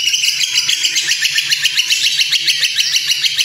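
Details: White-rumped shama kretekan, a training song to provoke the bird: a continuous, very rapid crackling rattle, about three pulses per second in its loudness, with no pauses.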